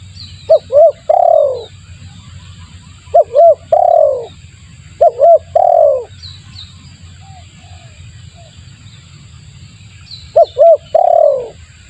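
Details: Spotted dove lure call repeated four times in twelve seconds, each phrase two short coos and a long falling coo. Soft distant bird chirps and low hum fill the gaps.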